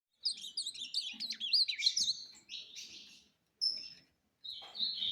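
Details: Ultramarine grosbeak in competition singing: a fast, warbled phrase of high twisting whistles and slurred notes, ending with a few brief separate whistles after short pauses.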